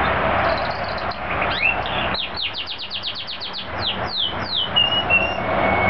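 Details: Canary singing at full voice: a quick volley of descending whistled notes, accelerating then slowing, ending in drawn-out pure whistles, with heavy traffic rumble throughout.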